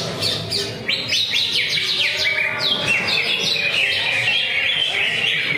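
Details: Caged greater green leafbird in a Friday practice singing contest, pouring out fast downward-swept whistles in quick succession, then jumbled warbling, with many other singing birds in the background.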